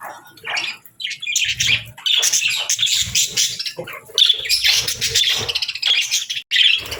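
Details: Pet budgies with lovebirds give bursts of squawky, high chirps and warbled twitters. The bursts swell and fade in waves, with a short silent gap near the end.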